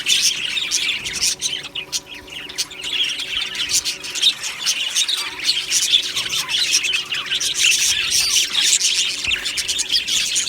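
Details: Aviary budgerigar colony, 1 July 2025: a mass of chirps and harsh squawks building in loudness, short falling notes heard among the high chatter.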